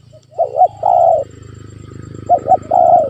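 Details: Spotted dove call used to coax a quiet pet dove: two phrases, each a wavering double coo followed by a long even coo, over a steady low rumbling hum.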